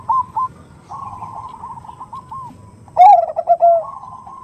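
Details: Zebra dove female summoning a male, the 'nutut' lure sound: two short soft trill bursts and a long quiet purring run, then an abrupt, louder, deeper bubbling coo ending in a light trill.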